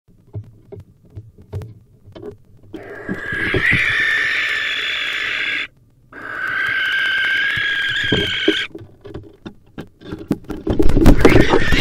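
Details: Wild barn owls fighting inside a nest box, competing to claim it as territory for raising young: long, harsh hissing screeches lasting several seconds, broken by scuffling and thumping knocks from the struggle.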